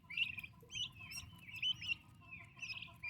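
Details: Young turkeys staying close to their mother call in short clusters of sharp, high peeps, with brief pauses between bursts, over a low steady background noise.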